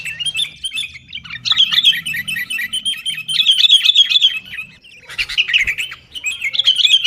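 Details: Sooty-headed bulbul recorded to coax caged birds into song, heard in a fighting mood: fast, rattling strings of bright chirps pouring out in long runs, broken by one short gap, with faint low background noise.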